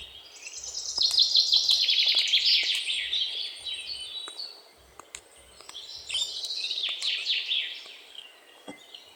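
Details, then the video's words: Great tit singing outdoors: a fast series of high, clipped notes repeated steadily for about two seconds, then a second burst later, with other birds chirping and soft low rumbles behind. "Bird - Great Tit / මහ ටිකිරිත්තා"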